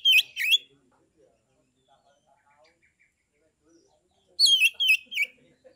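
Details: Caged Oriental magpie-robin from Kebumen, Central Java, singing to provoke rival birds: two loud slurred chirps, quiet faint murmurs, then three sharp descending whistled notes.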